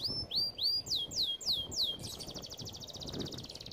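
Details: A canary delivers six loud, downward-sweeping whistled notes, then switches to a fast, even, buzzy trill; the song is meant to train canaries.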